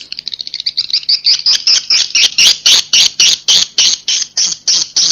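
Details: Swiftlet roosting call of the 'Inap Ababil' style: a fast series of sharp, high chirps, about four per second, starting quick and soft and becoming louder, more spaced clicks with buzzy tops.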